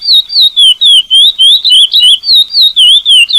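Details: Chestnut-bellied seed finch; song; used to teach song to other birds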